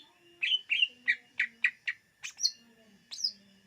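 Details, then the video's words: Greater green leafbird song for luring wild birds: a run of sharp whistled chirps in quick succession, then higher slurred whistles rising toward the end, over a constant faint background tone. "SUARA BURUNG CUCAK IJO UNTUK PEMIKAT DIJAMIN TERPIKAT"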